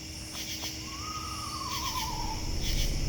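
An Eastern Screech Owl gives a soft, quavering whinny that slides gently downward over about a second and a half, over steady night insects and low background rumble.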